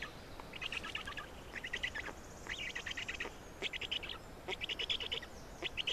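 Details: Estonian Black stork nest during feeding, 27 May 2019 at 10:39; a steady series of short, rapid chattering bursts, about eight of them, each a fast string of squeaky pulses.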